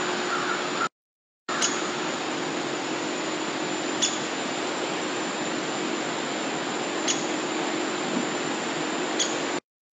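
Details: Steady hissing white noise with a high constant tone, a brief silent gap near the start and a few sharp clicks, ending in silence.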